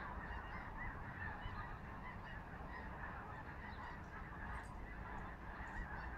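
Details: Huge flock of geese flying over Skagit Valley in Washington State; ceaseless overlapping honks and yelps from countless birds form a dense wall of sound above low wind rumble.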